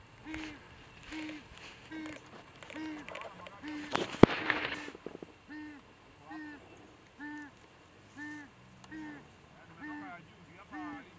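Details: On safari, a Southern ground hornbill chick that has just been fed by an adult begs with short, low, hooting notes repeated about once a second; a brief clatter breaks in midway.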